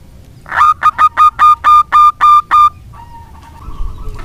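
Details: Local zebra dove singing as a lure to prompt doves that have stopped singing: a loud opening note, then eight even, clipped mid-pitched coos in quick succession, followed by a soft trailing murmur.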